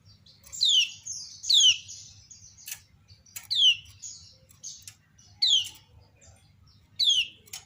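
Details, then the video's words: Female kecial kuning, a kept white-eye from Lombok, calling while other birds answer: loud, sharp, downward-slurred whistled notes repeated roughly every one to two seconds, with softer high chirps between and a faint low hum. "Ciak Betina Burung Kecial Kuning Memancing Bunyi Banyak Kecial lain Nyaut"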